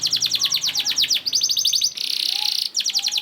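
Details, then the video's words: Canary singing a long 'ngerek' lure song meant to prompt other canaries to sing. Fast runs of sharp descending chirps, then a dense buzzy rattle, then the chirp run resumes. "PANCINGAN KENARI GACOR DOR NGEREK PANJANG INI AMPUH BIKIN KENARI LAIN BUNYI"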